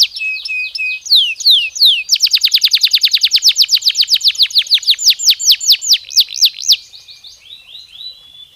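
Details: Canary song played to stimulate breeding and raise the birds' activity: rapid trills of steep downward-sweeping whistled notes, opening with slower rising notes, then a fast run of about thirty descending notes before a soft fading buzz.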